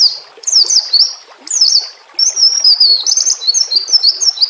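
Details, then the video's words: Murai batu, the white-rumped shama, singing in a training track set against nature sounds and running water: high, slurred whistles in quick, overlapping phrases, falling and rising, with brief gaps between bursts. "Masteran murai batu TERAMPUH yang di pakai semua burung juara"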